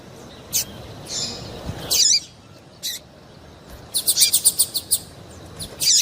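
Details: Calls of a female double-collared seedeater, used to warm up males for singing contests: a few isolated high chips, a brief buzzy note, then a rapid string of about six sharp chirps.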